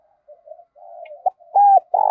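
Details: Morning call of a spotted dove used to attract wild doves: soft low cooing murmurs building to a sharp note, one loud steady coo and the start of a pulsed coo at the end.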